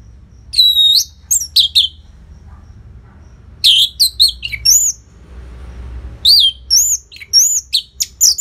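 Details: Loud Orange-headed thrush song from Singaraja, Bali, meant to make reluctant caged birds join in: looping, curling high whistles and sharp chips in groups separated by brief silences.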